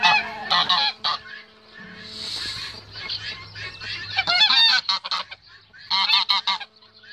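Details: Male goose guarding its female, with bursts of harsh honking broken by a hissing, noisy stretch and then more clustered honks.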